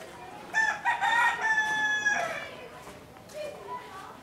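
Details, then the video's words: In the morning, a rooster gives one loud, harmonic crow lasting about two seconds, rising then holding and falling away, with faint background sounds after. "Rooster call in the morning"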